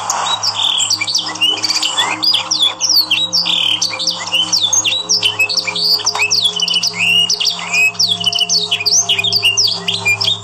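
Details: Yorkshire canary song for training other canaries, here a fast tumbling run of swooping whistled notes, varied downslurs and upslurs packed closely for ten seconds, with steady background hum.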